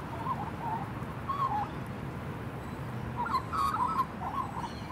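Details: Thank-you song of a happy juvenile female magpie: quiet warbled notes at the start, a lull, then a livelier burst of gurgling whistles, with low rumble throughout.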